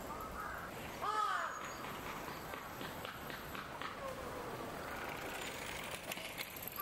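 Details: Bull-headed shrike from a parent-and-juvenile family, Mizumoto Park, Japan, 8 May 2021: a single harsh, grating call near the start, then steady background rumble like distant traffic.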